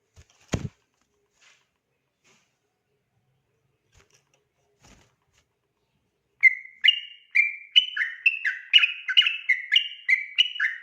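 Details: Sooty-headed bulbul singing its persistent 'ropel' song at night, a recording meant for training other birds: a few clicks and a knock, then a quick, rolling series of sweet whistled notes bursts in and continues.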